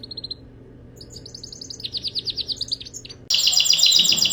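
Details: Canary delivering rapid, evenly repeated high trills that shift in pitch, then a louder, harsher rolling trill at the close.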